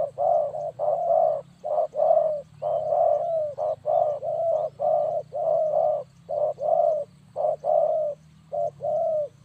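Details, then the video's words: Spotted dove cooing for use as a trapping lure. A long, steady series of low, mellow coo pairs, roughly one note a second, continues almost without a break over a constant low hum. "Suara Burung Tekukur Bersih Cocok Untuk Pikat"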